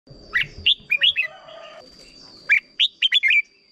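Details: Red-whiskered bulbul from Thailand giving its short doubled song style, used as a teacher song for young birds to copy: two quick phrases of bright, warbling whistled notes rising and falling, with a thin steady high tone throughout.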